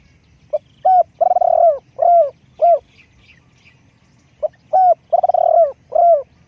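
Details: Spotted dove used to lure wild doves, repeating a phrase of deep coos twice: a brief pip, a hoot, a long quavering purr, then two or three clipped falling hoots. Faint bird twitters sound in between.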